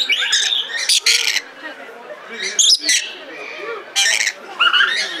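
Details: Red lory kept at the zoo in Belgrade, Serbia: harsh rasping shrieks in short loud bursts separated by pauses, with chattering whistled notes and faint talk of visitors.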